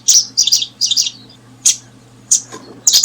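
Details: Paddyfield pipit while brooding; three quick bursts of high, thin chirps in the first second, then single sharp high notes spaced about half a second apart, over a steady low hum.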